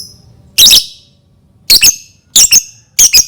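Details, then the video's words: Lovebird calling to stir other lovebirds into song: one long shrill screech followed by three quick doubled, grating screeches about half a second apart. "Pancingan Lovebird dijamin Lovebird lain langsung bunyi"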